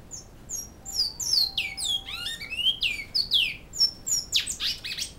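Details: Great-billed seed finch, Canoas, singing the Flauta Modesta style: high whistles open, then a rapid cascade of down-slurred fluty notes, ending in dense bursts of sharp notes.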